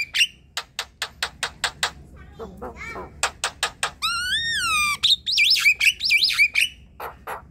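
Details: Javan myna chattering song from birds kept in a group, played to coax quiet, lazy birds into singing: dry clicking notes, then a long arched whistle and rapid looping whistled phrases followed by harsh chatter.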